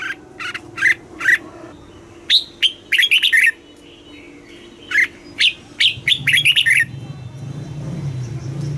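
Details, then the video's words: Caged Red-whiskered bulbul from Thailand singing in the southern master style, played to excite caged birds and teach young birds: three quick whistled notes, then two bursts of rapid bubbly warbled phrases, with a low hum late on. "เสียงนกกรงหัวจุก สำหรับต่อ หรือ เปิดให้นกคึก"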